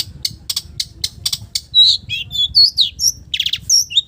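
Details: Long-tailed shrike with a varied imitated song: a run of harsh, scratchy repeated notes, followed by mixed high whistles, slurred sweeps and a quick trill of village bird phrases.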